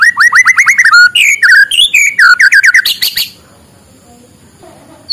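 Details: Morning white-rumped shama song meant to stimulate lazy birds: a fast series of rising whistled notes, then jumbled chirps and varied phrases, ending in a harsh buzzy burst followed by quiet.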